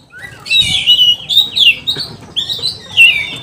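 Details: Excited oriental magpie-robin singing in the provoking 'kanibal' manner. A rapid, scratchy, high warbling stream with short sweeping whistles and brief pauses, moderately loud.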